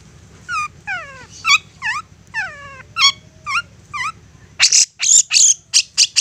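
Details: Long-tailed shrike, a caged songbird used as a provoking bird, singing: series of sharp descending whistled notes with harmonics, repeated about every half second, then loud harsh buzzy bursts near the end.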